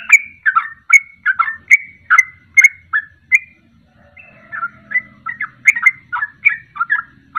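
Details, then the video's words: Fast ropelan song of a sooty-headed bulbul, used to provoke other birds to sing. Bouncy whistled notes stream rapidly, break briefly, then resume with softer, more spaced phrases. "Ropelan Trucuk Ini Ampuh Untuk Pancingan Langsung Pada Ikut Ropel"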